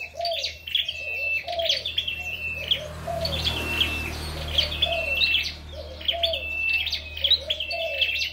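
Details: Red-headed flowerpecker (chim sâu đầu đỏ) in contest singing: repeated bursts of high, sharp twittering notes, about one phrase per second, over a lower wavering tone and a faint low hum.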